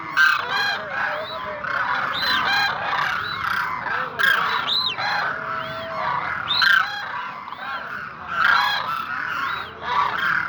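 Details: A calling flock of demoiselle cranes, known as koonj, over about ten seconds: rolling, honking notes overlap continuously. Arched, trumpeting calls rise above the mass in bursts roughly every two seconds.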